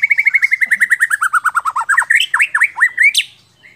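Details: White-rumped shama (murai batu), Central Java, Indonesia, in a masteran isian recording: a fast run of repeated down-slurred whistled notes that falls slightly in pitch, then varied upward-flicking notes ending in a sharp high chip.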